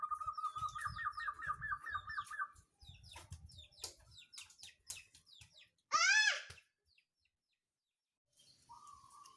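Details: Local zebra dove of the songgo ratu type, its song played as a lure to rouse rivals and coax reluctant birds into singing: a rapid run of about eight rolling, wavering notes over two seconds, then clicks, a loud harsh call and a brief later phrase.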